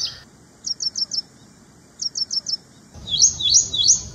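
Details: Two crisp bursts of four quick, high ticking notes each from an Ashy prinia, separated by silence, then a louder, scratchier run of three sweeping chirps.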